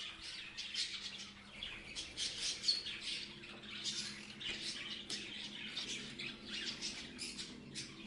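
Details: A flock of parrots chattering continuously, buzzy high chirps and squawks layered over a faint low hum.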